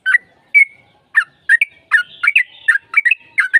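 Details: Yellow-vented bulbul song played as a lure to make another bird answer and sing in a fighting mood: short, bubbly, chirping notes in quick uneven bursts, with a few clear whistled slurs between them.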